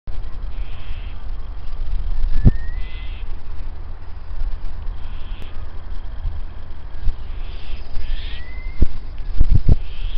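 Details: Possibly a male Satin Bowerbird, or perhaps a Common Myna, recorded 28 August 2012 after a medium-sized black bird was seen nearby: short, harsh, grating notes every couple of seconds and two quick rising whistles over low rumble and clicks.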